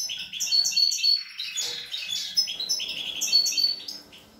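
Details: European goldfinch song by young birds, 25 April 2021: rapid high chirps about four per second mixed with tinkling trills and a brief buzzy passage, bright and lively.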